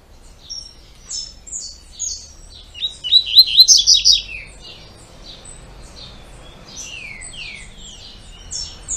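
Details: Double-collared seedeater with its "tui tui" two-note song: high chirps build into a loud buzzy phrase, then many quick falling whistles scatter across the remaining seconds, quiet background.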